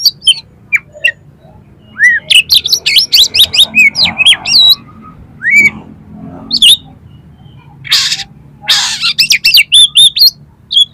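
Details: Oriental magpie-robin singing, recorded for training competition birds: looping whistled slurs, rapid clicking rattles and two harsh noisy bursts, over a faint low hum.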